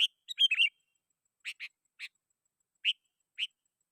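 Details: Sooty-headed bulbul giving calls meant to draw rivals and lure wild birds: a tumbling cluster of warbled notes at the start, then scattered single chirps with gaps between them.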